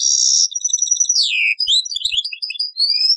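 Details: European goldfinch song, taqsrain style, taken from an old cassette: a sustained buzzy high trill, a long descending slur, then quick tinkling notes and thin whistled slides.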